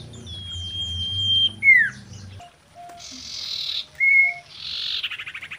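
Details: Female common iora in mating song, used as a lure recording: a long, thin, level whistle ending in a sharp downward slur, then harsh buzzy bursts around another short whistle, closing with a quick rattling trill.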